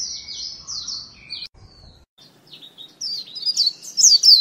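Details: White-eye kept as a lure giving thin, high descending whistled notes, then a quieter gap and a brighter, rising twittered phrase, with soft low background noise.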